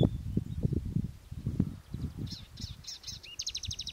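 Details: Singing Palestine sunbird (sudud): partly masked by heavy low rumbling and knocks, then high sharp repeated notes, a short downslurred whistle and a rapid ticking trill toward the end.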